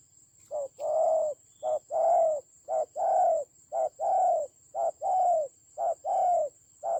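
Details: Spotted dove acting as a decoy during a fierce fight, Vietnam's Central Highlands, 19 October 2020: a long run of low two-part coos, a quick note then a fuller sustained coo, repeated steadily; a faint high whine continues throughout.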